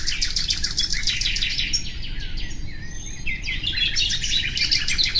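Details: Nightingale song starts with a rapid series of repeated clicking notes, pauses into softer warbling, then resumes with quick bright chirps, over a low constant background rumble.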